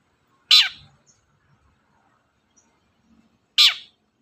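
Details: Two loud, harsh, down-slurred rasps from a long-tailed shrike, about three seconds apart in near silence, a sound used to provoke other birds into singing.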